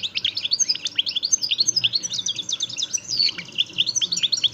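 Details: Caged European goldfinch singing in the Extremadura style known as parva de Montijo, nonstop: a dense, rapid stream of high tinkling, twittering notes and buzzy slurred chirps, closely packed with barely a pause throughout.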